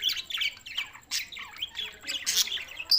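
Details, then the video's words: Pet budgerigars, June 7, 2024, Larkana, Sindh: busy warbling chatter of short chirps and rasping notes, with sharper squawky bursts near one and two-and-a-half seconds. "lonely Budgies Barids"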